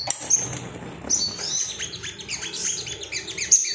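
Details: Agitated male Ruby-cheeked sunbird singing to seek rivals, high sharp chirps and downward-swept squeaky notes in a quick irregular series over a faint low hum.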